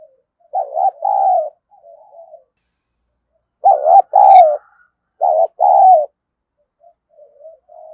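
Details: Spotted dove used as a decoy bird to provoke fighting, cooing in three bursts of paired, wavering coos around 600-800, each burst followed by softer, quieter trailing coos; pauses between bursts.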